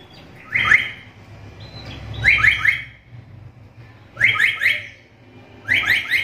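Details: Black-capped lory calling, a call rare among other lories and used as a model for training songbirds: four bursts of quick, harsh, downslurred notes, each burst a tight cluster of three or four, spaced about every second and a half.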